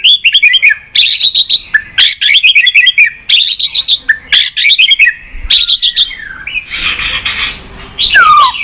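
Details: Dense, loud White-rumped shama song meant to rouse pet shamas. Bursts of rich, tumbling whistles and chirps are separated by short pauses. A harsh buzzy note and a clear downward whistle come near the end.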